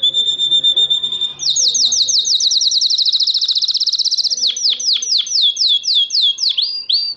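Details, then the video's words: Canary singing in Morocco in 2012: a steady whistled note, then a fast run of repeated rising-falling chirps, slowing into looser sweeping notes near the end. "chant canari 2012 maroc تغريد الكناري"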